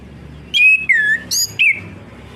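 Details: Song of an orange-headed thrush, played to prompt a bird that has gone silent to sing again: four bright phrases, falling whistles alternating with a ringing high note, delivered quickly with short gaps, with faint low background hum.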